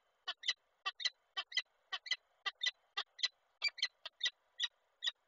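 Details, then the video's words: Female peregrine falcon calling the male while visiting the nest, Koszalin, Poland, 5 August 2023, from a nest webcam: rapid series of short sharp clipped notes, often doubled, repeated about three times a second, distant and quiet. "Nila z wizytą, samca woła"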